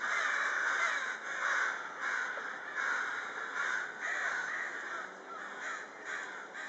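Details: Crows in a group during the evening, their rasping caws coming in pulses roughly once a second, overlapping and fairly steady, with quieter gaps between bursts.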